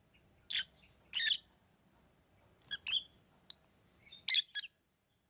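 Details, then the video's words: Pet lovebirds chirping: a few short, harsh broadband chirps spaced irregularly over several seconds, with quiet gaps between and a faint low hum underneath. "Love birds Sounds | lovebirds chirping sounds| parrot beautiful sounds"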